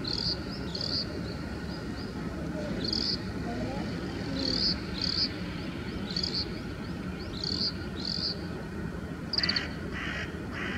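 Oriental greenfinch singing bright, high twittering notes in quick pairs, closing with a few nasal buzzy trills, over a steady low background rumble.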